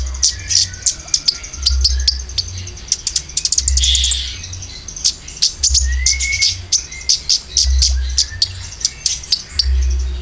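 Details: Konin lure song for caged birds: dense clusters of sharp high ticking chips, a brief rising whistle midway, steady low thumping beneath.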